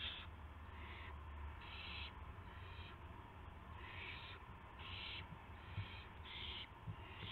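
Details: Early morning owl recording, March 26, 2016, near 5:50 AM, with a gopher and a mouse delivered as prey. Rasping hiss-like calls repeat in short bursts over a loud, steady low-pitched hum.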